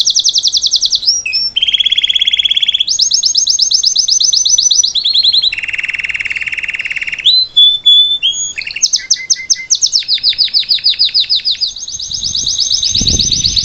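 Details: Salsa canary singing live as a teaching model for its chick; alternating high rapid trills and low buzzy rolling tours, several phrase changes, with a short low thump near the end.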